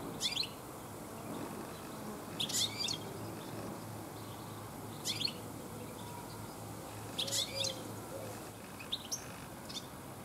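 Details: European goldfinches singing in a garden toward evening: repeated short bursts of bright, high, liquid twittering, five or six phrases at irregular intervals, with a quiet steady background.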